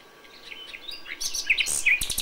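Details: A common nightingale at dawn in May. Soft, scattered chirps and whistles grow into louder, clipped notes and a harsh burst near the end, over faint background noise.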